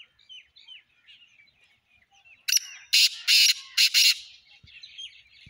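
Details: Black francolin recorded on 29 January 2024: four loud, harsh, rasping bursts in quick succession, preceded and followed by faint twittering of small birds in the background.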